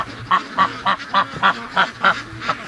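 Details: Free-range duck during the morning rush giving a steady series of loud nasal quacks, about three or four a second, evenly spaced, over a soft murmur of other ducks.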